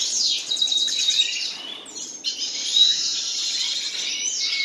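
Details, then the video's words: Song from a pair of common nightingales, made of long buzzy rattling trills and sustained high notes, broken by a brief drop in sound around two seconds before the trilling resumes. "моя пара соловьев"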